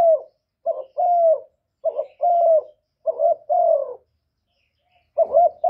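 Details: Spotted dove cooing to attract other doves. Steady series of two-note phrases, a quick stuttered note then a longer smooth descending coo, with a brief gap before the last phrase.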